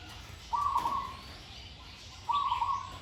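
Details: A captive zebra dove, a little over a year old and in training, gives two soft, rolling trilled coos, each about half a second long and nearly two seconds apart, over a quiet background.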